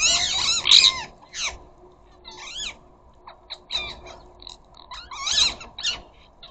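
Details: Ring-necked parakeets from a flock at a garden feeder chatter to each other: loud shrill screech bursts at the start and near the end, scattered short squeaky notes between, about one and a half per second.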